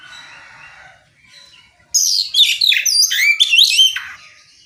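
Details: Ngeplong-style song of an oriental magpie-robin, played to get other magpie-robins to reply. Quiet scratchy notes lead into a loud two-second stream of looping, swooping whistles with quick chattering in between.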